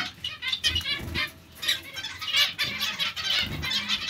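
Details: Zebra finches in a colony chatter with overlapping nasal beeps and short trills, quieter around one and a half seconds, with faint low thumps.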